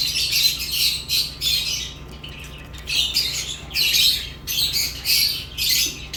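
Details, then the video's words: Lovebirds chirping: harsh, rasping squawky chirps come in dense bursts lasting about a second, repeated almost continuously with short gaps, over a steady low background hum. "Love birds chirping sounds"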